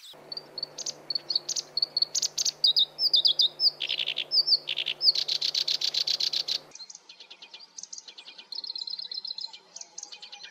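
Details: Black-browed reed warbler song, from a compiled training track for cage birds: loud, fast, scratchy chattering with sharp high chips and buzzy bursts. An abrupt cut midway leads into a quieter, thinner stretch of similar twittering.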